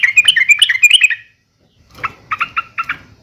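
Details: Short burst of yellow-vented bulbul fighting call (uplik tarung), given to provoke other bulbuls: a quick, warbling chatter for about a second, a pause, then four separate clipped, harsh notes.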